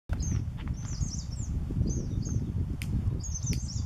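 Fire-capped Tit giving very high, thin, slurred chirps in short scattered bursts, over a heavy low rumble like wind.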